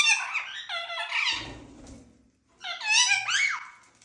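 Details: Pet Indian ringneck parrots in a small room: two bouts of piercing, squeaky warbling, each over a second long, split by a quieter gap with faint low sounds, the second bout rising and bending sharply.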